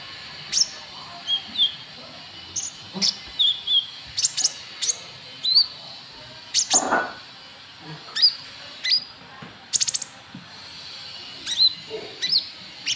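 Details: White-cheeked bulbul lure call, used to draw in rival birds: short, sharp, high chirps and brief downslurred notes scattered irregularly, sometimes in quick pairs, over a faint hiss.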